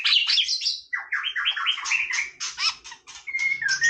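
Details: White-rumped shama singing casually: high sharp notes, then a quick descending cascade of whistles and scratchy bursts, ending with a clear level whistle.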